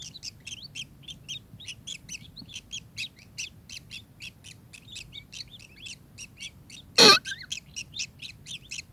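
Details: Kingfisher call as a long, even run of sharp, high chirps repeated several times a second, broken once by a loud knock partway through, with a low murmur in the background.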